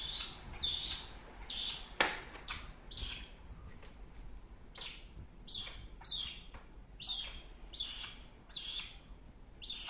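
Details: A rescued adolescent female black-shouldered kite, eyes still yellow and not yet adult, explores a living room during rehabilitation, giving a run of thin, high chirps about one or two each second over a quiet indoor background with a single sharp tap.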